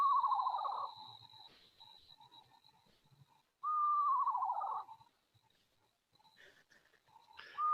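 An owl gives two clear whistled calls that slide downward, each about a second long and spaced roughly three seconds apart, over a faint steady high hum.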